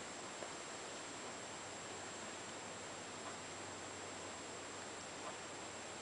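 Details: Even, unbroken hiss like a fan or rushing air fills the whole recording, with no animal voice.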